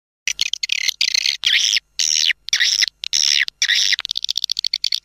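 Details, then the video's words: Swiftlet calling sound used to attract swiftlets to a nesting house: bursts of bright, high chirps and buzzy trills separated by short silences, ending in a run of rapid ticking clicks. "Suara Panggil Walet"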